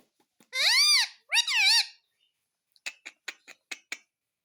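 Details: Talking pet Indian ringneck parakeet, said to repeat "mummy papa": two loud, arched, strongly harmonic syllables in quick succession, followed by six short, sharp clicks about a quarter second apart.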